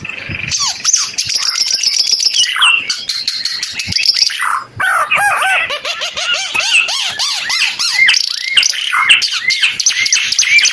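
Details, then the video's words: A Timor red-eyed bird sings energetically. Buzzy high chatter gives way to a run of quick, looping whistled notes that rise and fall in steady succession. "Kicau Burung Ara UNIK Mata Merah Suara Gacor"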